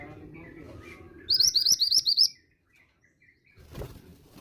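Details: Calling female mountain bushchat, kept to encourage young males to reply: a quick burst of about seven high, sharp twisted chirps lasting under a second, with faint background chatter and a thump near the end.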